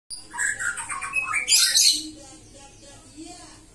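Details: A captive-bred white-rumped shama gives a rich run of varied whistles and high, chattering notes, rising to a bright burst before fading into softer background chirps.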